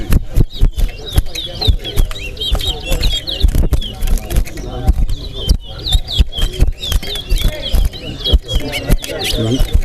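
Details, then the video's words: A caged Chestnut-bellied Seed-Finch (towa towa) sings bright, rapid whistled phrases with slurs and trills in a whistling competition at Linden Town Day, Guyana, while a crowd murmurs, counts aloud and clicks sound. "TOWA TOWA BIRD WHISTLING COMPETITION"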